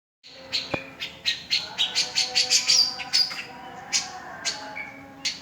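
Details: Cica jenggot singing in a lively, chattering style, described as making silent birds start singing after a minute: a fast run of sharp high chirps with uneven spacing, some notes slurred, over a faint steady low hum.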